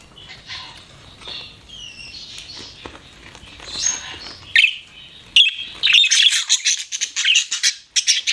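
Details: Soft warbles from pet budgies build into loud, fast, scratchy chirping with dense rapid notes during the final seconds.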